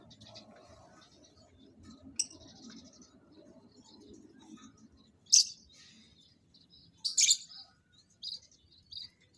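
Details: Lovebirds kept for breeding, placed together for pairing and mating; after a soft murmur, a few loud, piercing chirps burst out, the last ones as a short double squeak.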